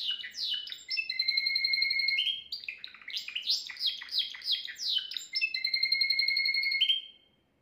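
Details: Timbrado canary song recorded at home from the owner's best singer, given as a faultless model for young canaries: sweeping whistled slides, long held tones and bursts of rapid rolling notes, continuous for about seven seconds.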